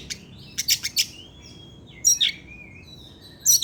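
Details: Oriental magpie-robin sings its evening lure song: a few sharp chips, then long thin whistled notes and a rising slurred phrase, set apart by short quiet gaps.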